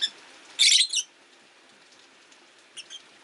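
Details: Rosy-faced lovebirds, five birds caged by a window, rainy weather, orange-faced bird trying to sit beside a blue-and-white one; a loud grating chirp burst with a second shorter note, then faint twitters.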